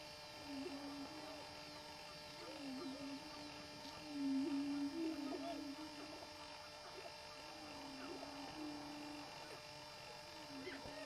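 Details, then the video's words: Greater prairie chicken performing a mating display on a lek, giving low hollow moaning hoots that rise and fall, repeated in overlapping series, with a steady electrical hum and faint background hiss. "Prairie chickens displaying on lek"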